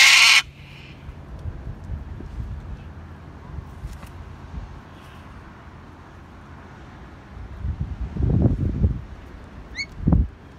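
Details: A cockatoo chasing off a dog opens with one loud, harsh, raspy screech lasting under half a second; low rumbling and thumping follow, with a few faint high chirps near the end.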